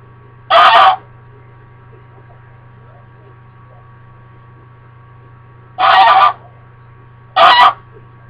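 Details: Female pet American Buff goose, kept indoors in a diaper harness, honking because she is upset when her owner leaves: three harsh, loud honks, one early and two close together near the end, over a steady low hum.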